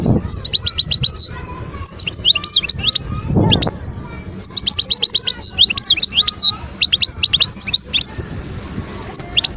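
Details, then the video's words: European goldfinch song from Guerbaz in Skikda, Algeria, recorded in 2022 from a wild bird. Bright, liquid twitters alternate with fast buzzy trills of evenly spaced notes, repeated in clusters every second or two against faint low background noise. "اسمع واستمتع صوت الحسون البري"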